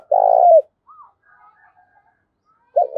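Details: Spotted dove giving a thúc-style call used as a lure for wild doves: one long, low, buzzy coo ending in a falling slur, a faint soft note after, then the start of the next phrase.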